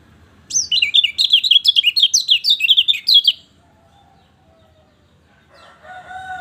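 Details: Lemon-bellied white-eye sings a three-second run of rapid, high, sharply slurred chirps about two per second apart in quick succession, followed by silence and a distant crowing sound; meant to prompt a bird reluctant to sing.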